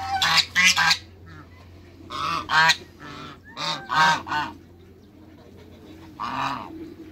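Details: A pair of African geese kept in a backyard alongside other waterbirds, giving loud, harsh, nasal honks in short bursts: a quick double honk, a pair of calls near two seconds, a run of three around four seconds, then one final honk.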